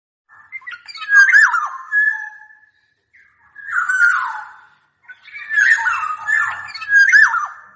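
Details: Black-naped oriole (kepodang) singing: three fluty, liquid whistled phrases with warbling slurred notes and bubbly overtones, separated by short silent gaps, on a clean quiet background.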